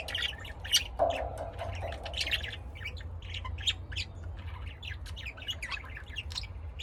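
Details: Lovebirds kept as house birds in Austin, Texas, USA, making a nonstop stream of sharp squawks and high twittering chirps, with one lower rasping note early on and a faint hum beneath.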